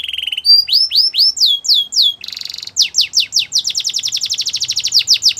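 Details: Belgian canary, singing in the morning: a brief trill, slow rising whistled swoops, a buzzy burst, then a rapid run of repeated high notes.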